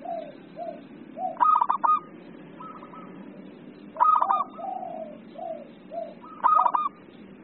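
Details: Local zebra dove gives three loud stuttering coo phrases about two and a half seconds apart, answered in between by several lower, softer, slurred coos from other doves.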